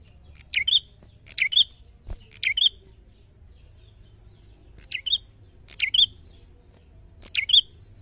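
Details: Bar-winged prinia, called cemplik or prenjak, singing in lively gacor narung style: six quick two-part phrases, each a sharp descending buzzy note followed by a short bright high whistle, repeated roughly every second, with a low background hum.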